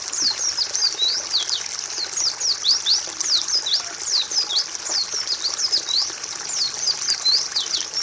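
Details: Pleci song played as a master recording for training other birds: a dense, continuous stream of high, rapid down-slurred chirps and twitters repeating without pause over a steady hiss.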